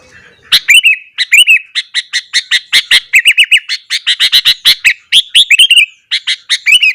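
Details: Sooty-headed bulbul singing frantically in the morning, a song meant to provoke other bulbuls: a dense, rapid stream of loud chirps and bubbly, down-hooked warbled notes, barely pausing across the whole stretch.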